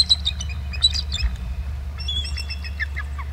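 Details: Close eagle trills from BST, March 8, 2018, 10:51, as both birds fly off over the camera: a quick sequence of sharp chittering notes, then thinner descending calls, over a low hum.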